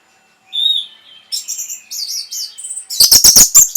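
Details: Orange-headed thrush song played to stimulate breeding condition and draw a response: a soft whistled note, then thin high wavering phrases, ending in a loud rapid series of sharp chattering notes.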